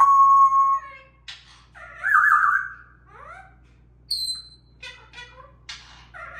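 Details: Parrot chatter from a trio, one bird interrupting the others: a clear flat whistle, a loud buzzy call, a pair of rising slurred notes, a high thin whistle, then short stacked chirps over a faint hum.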